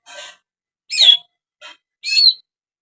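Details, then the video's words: Greater green leafbird calling: four short bursts, alternating a broad buzzy rasp with a higher squeaky, slurred note that bends downward, each phrase under half a second with clear pauses between, no other sounds. "SUARA ANEH BURUNG CUCAK HIJAU"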